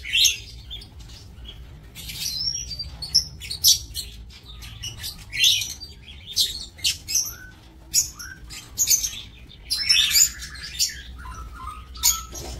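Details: Aviary lovebirds on 5 July 2024 call with irregular sharp chirps and brief whistles over twelve seconds, some notes clustered, others isolated, over a quiet background.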